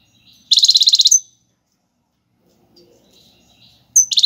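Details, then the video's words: European goldfinch song of the Algerian tiwawati galoubi and serfati styles, meant for teaching young birds: a fast, even rattle of repeated high notes ending in a thin whistle, then silence before another trill begins. "حسون تيواواطي قالوبي + سرفاتي , تغريد اكثر من رائع"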